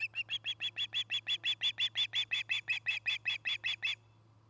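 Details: Osprey calling at a nest in Charlo, Montana, via nest cam in 2018: about twenty-two even, piercing chirps in quick steady rhythm over four seconds, then silence apart from a faint low hum.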